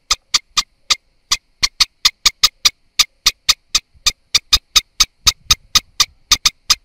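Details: Eastern olivaceous warbler uttering a long run of sharp tacking notes, mostly evenly paced with a brief pause early on and tighter clusters later.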